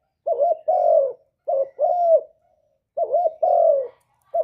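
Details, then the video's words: Spotted dove singing in the one-kuk style, a bird used to lure other doves: repeated cooing phrases about every one and a half seconds, each a short wobbling note followed by a longer mellow, gently falling coo. "Burung derkuku master gacor kuk 1 suara mantap untuk pancingan"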